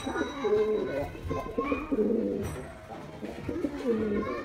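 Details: White domestic pigeon, a male performing, with deep rolling coos in short bursts, a pause midway, then more cooing; soft chirps and distant voices behind.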